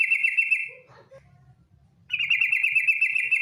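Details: Ngetir call of a female yellow-vented bulbul, played as a lure to make bulbuls sing: a harsh, rapid rattling trill, a pause with faint low hum, then a second sustained buzzy rattle.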